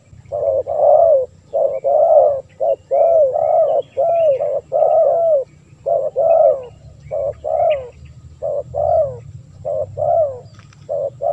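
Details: Lure call of the spotted dove meant to attract wild birds: a long, continuous run of mellow coos alternating short and drawn-out arched notes, nearly without pause, over a soft low hum.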